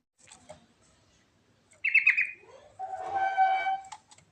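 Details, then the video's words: Varied natural song of a yellow-vented bulbul: a quick cluster of bubbly, tumbling notes, a short pause, then a sustained buzzy, overtone-rich tone held for about a second before fading. "Suara Burung Trucuk Alami Ngerol Isian Variasi Bagus Buat Pancingan"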